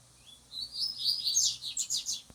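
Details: Double-collared seedeaters training to sing face to face, a handling practice for the birds; a fast, high twittering phrase of sweeping whistles and buzzy trills, climbing then pulsing in rapid notes, over a faint low hum.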